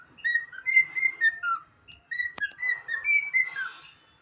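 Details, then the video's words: A pet cockatiel whistles the anthem in two quick phrases of pure, slurred notes that step up and down, with a sharp click midway and a brief burst of buzzy chatter near the end. "minha calopsita cantando o hino"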